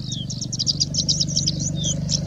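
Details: Singing Bushlark in India, a mimic of other birds: a rapid jumble of high chirps and twittering notes with a couple of thin descending whistles, over a steady low hum.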